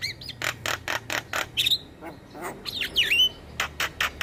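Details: Javan myna chatter as a lure for mynas and starlings: a run of regular harsh clicks, a level whistle, then twisting whistled phrases before the clicking resumes.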